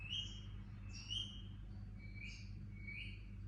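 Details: Young Indian ringneck parakeet making quiet, high, slightly rising chirps at an irregular pace of roughly one per second, with a constant low hum underneath.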